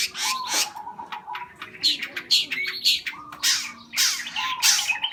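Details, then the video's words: Long-tailed shrike singing busily, with bursts of harsh, raspy notes broken by short whistled slurs and a level humming tone, the bursts coming in uneven clusters. "suara cendet gacor"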